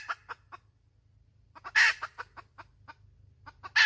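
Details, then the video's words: A hen clucks a few times, then lets out a loud harsh squawk followed by rapid clucks and another squawk at the end, over a low background hum. "Suab poj qaib tsauj dib tuaj zoo heev"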